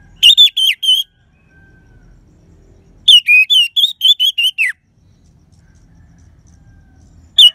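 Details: Orange-headed thrush in crystal-clear song, used to encourage silent birds to sing; a short group of four whistles, a pause, then a longer run of about eight slurred notes ending on a falling note.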